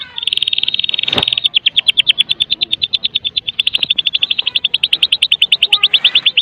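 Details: White-rumped shama of the Medan type, singing to lure other shamas into song: a sustained high buzzy rattle breaking into rapid even pulses, about eight per second, with a short sharp knock early on.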